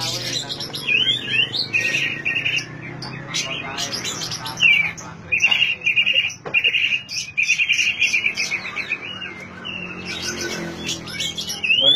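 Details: Singing oriental magpie-robin, played to prompt silent birds to sing, with repeated buzzy rattling phrases broken by quick rising and falling whistles over a low background drone.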